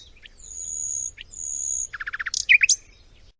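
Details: Nightingale in Macedonia: two long, pure, very high whistles, then a rapid rattle of about eight repeated notes ending in loud harsh, twisting flourishes.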